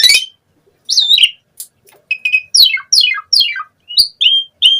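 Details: Asian pied starling song in 'gacor' style: an opening harsh burst, a looping whistle, then several steeply falling slurred notes in quick succession and short upward squeaks, with clear gaps between notes.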